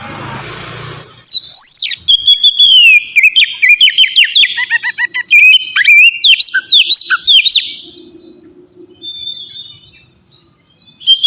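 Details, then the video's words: Ngeplong-style song of an oriental magpie-robin used as a lure for captive birds: a high whistle leads into rapid, loud chirps and swooping notes for about six seconds, fading to a few faint notes. "suara burung kacer ngeplong gacor sangat ampuh buat pancingan kacer bahan bikin cepat gacor"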